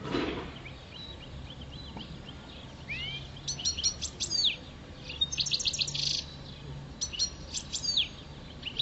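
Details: European goldfinch, parva subspecies, five years old and kept in a cage, sings during the mating season: rapid liquid twitters, clipped high chirps and a buzzy ringing run arrive in repeated phrases over about nine seconds.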